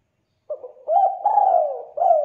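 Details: Tekukur, a turtle dove, in a lure recording meant to make doves call: a soft opening note, then one long drawn-out coo that slowly falls, and a final short coo.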